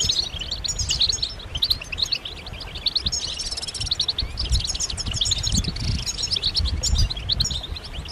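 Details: Group chirping of European goldfinches, mating and readiness calls to get silent males singing; a busy, unbroken mix of high twittering, jingling phrases and short buzzes, with muffled low bumps underneath.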